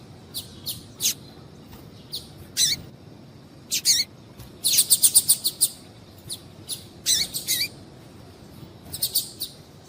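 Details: Female double-collared seedeater calling to stimulate male song: scattered high, sharp chirps build into a rapid burst of repeated notes midway, followed by further short clusters.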